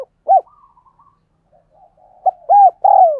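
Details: Spotted dove cooing for training decoy doves and drawing in wild ones: an arched coo, quiet faint murmurs, then a short note, another arched coo and a long falling coo.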